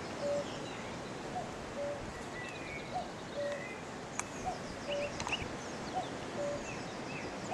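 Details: Common cuckoo singing in a tree on 3 May 2018, horses nearby. A long run of regular falling two-note cuckoo phrases, about one each second and a half. Sharp clicks and other birds' high chirps and whistles sound behind.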